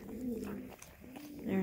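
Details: Loud pigeons in a winter sheep barn start calling again after a person speaks; soft low coos swell and fade, ending in a stronger coo, with a woman's voice briefly heard.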